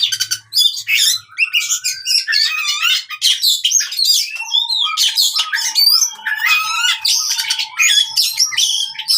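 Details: Oriental magpie-robin fighting song for training birds that no longer sing: a fast, nearly continuous torrent of harsh chatters, squeaks and whistled notes with a few brief breaks.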